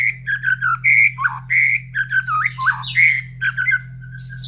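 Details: White-rumped shama in a cage, fed in the morning and near other caged birds calling back: strong, clear whistled notes and short sliding phrases in quick succession, some clipped, a few higher chirps above, and a soft steady hum.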